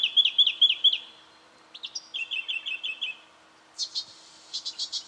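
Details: Brown treecreeper from Victoria, Australia, October 2011: two short runs of high, sharp piping notes, each about a second long, followed by a few harsh, scratchy chirps at the end.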